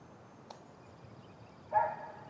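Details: Nest camera on a great grey owl nest, 30 June 2018, afternoon: a loud, short, rough screech-like call after a quiet stretch with a faint click, over soft background hiss.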